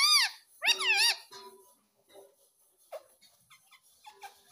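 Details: Pet baby ringneck parrot squawking: a harsh, arched screech at the start, then a longer wavering squawk. Quieter chirps and clicks follow with a soft rising note near the end.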